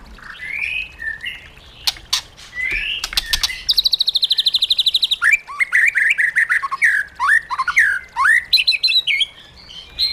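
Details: Caged white-rumped shama in training with wild-style song, giving varied clear whistled notes, sharp clicks, a rapid buzzy rattling trill, then quick rising and falling slurred whistles repeated in lively succession.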